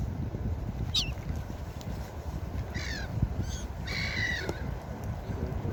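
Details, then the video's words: Beach seagulls crying: three separate harsh, descending yelps spaced a second or two apart, the last one longer and drawn out, with constant wave and wind noise underneath. "Seagull Beach Sound Effect| Seagull sounds for Sleeping and Deep relaxation| Seagulls Sounds"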